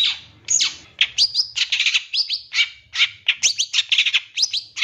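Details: Long-tailed shrike song from a 2023 champion, meant to get shrikes singing fast and agitated: dense, varied chatter of harsh buzzes mixed with bright rising whistles, delivered almost without pause.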